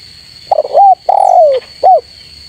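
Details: Spotted dove calling out rivals with its full phrase: a broken lead-in and rising coo, a long slurred descending coo, then one short rounded note, low and soft, over a constant thin high-pitched hum.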